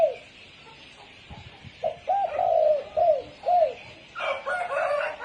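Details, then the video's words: Spotted dove in the 'sấm chuông' calling style, played to excite males and females. A brief coo opens, then a phrase of five mellow, rounded coos, ending with a harsher, broader burst of sound in the final second. "Tiếng chim cu gáy sấm chuông cực chất cực hay kích trống kích mái kích bổi"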